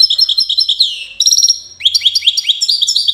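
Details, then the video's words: European goldfinch of the widani type from the city of Safi, Morocco, singing a fast run of bright tinkling notes, then liquid rising twitters after a short break. "حسون ويداني"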